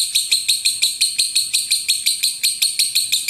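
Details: Lovebird prepared for singing contests, repeating sharp, bright high-pitched clicks at a steady pace of about three per second, even and mechanical in rhythm.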